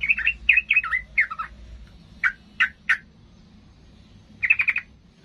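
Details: Sooty-headed bulbul in an emotional, combative state, singing to rile up rivals: opening with several bubbly, rolling warbled phrases, then three separate sharp notes and a closing quick trill of chirps.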